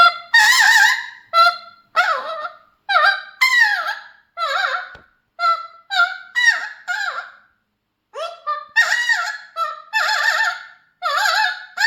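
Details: Singing pet Mealy amazon parrot gives a long series of short, harmonic, wavering notes and warbled phrases, many bursts in quick succession with one brief silent gap midway.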